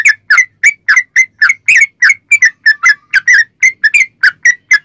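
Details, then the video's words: Sooty-headed bulbul delivering nonstop ropel song as a lure for other bulbuls: a steady, unbroken series of bright, slurred notes at roughly four per second, rising and falling slightly. "trucukan gacor ROPEL PANJANG buat pancingan trucukan agar bunyi"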